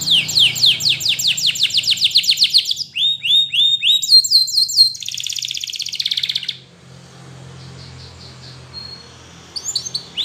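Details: Spanish Timbrado canary delivering a training song: rapid descending repeated notes, a brief rolling phrase, then a buzzy sustained trill before the song fades to quiet hum with a few final notes.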